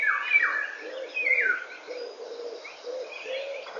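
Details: Eurasian golden oriole singing in the morning, 08:15 on 19 May 2013. Two fluty, falling whistles stand out early, while a low, soft cooing repeats about once a second underneath and faint twittering fills the background.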